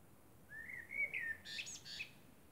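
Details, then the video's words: Common blackbird at night under the moon, singing one smooth, rising fluted phrase that breaks into a burst of squeaky, high twittering notes. "Blackbird sings under the moon"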